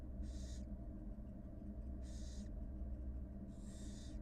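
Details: Three coarse, shushing hisses about one and a half seconds apart, the last drawn out longest, at a wild barn owl nest as the mother feeds two newly hatched nestlings, with constant low hum behind.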